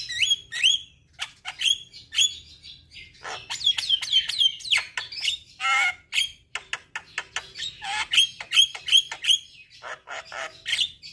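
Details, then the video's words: Javan myna song used to coax a stressed bird that has stopped singing, a dense stream of squawks, chattering bursts and short whistled notes, roughly three calls a second, with harsh rasping segments. "Terapi Burung Jalak Stres Macet Bunyi"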